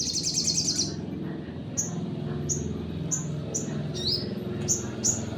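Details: Sunbird singing to provoke other birds: an opening high buzzy trill, then evenly spaced sharp whistles about half a second apart, one rising, over a low hum with a faint voice.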